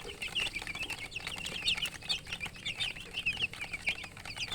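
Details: Baby chicks chirping: many overlapping high, thin peeps, short descending and rising notes in a dense continuous chorus, with faint scratching and rustling underneath.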